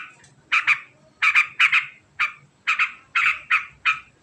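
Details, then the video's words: Sooty-headed bulbul in ngekek cackling style: loud, harsh doubled chacks spaced unevenly, roughly one burst every half second, with a silent gap near the start. "Suara Unik Burung Trucukan Ngekek Panjang Sangat Cepat"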